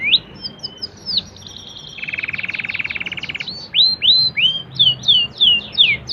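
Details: Canary delivering standard cengkok song: short swooping notes lead into a long, even, low rolling trill of about a second and a half, followed by a lively string of bright upswept whistles.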